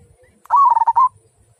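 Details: One phrase from a local zebra dove with a big, clear 'kung' voice: an upward-sliding opening coo, a rapid pulsed rattle of notes, and a final sustained, gently rising coo. Background nearly silent apart from faint low rumbles.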